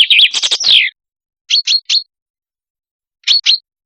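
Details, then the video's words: Chaffinch lure recording from Lebanon. It opens with the tail of a descending trill and its ending flourish. Two spaced groups of short, clipped chirps follow, three notes and then two, with silence between them. "صوت صلنج ٢٠٢٥ - صوت نقي BirdCall Chaffinch"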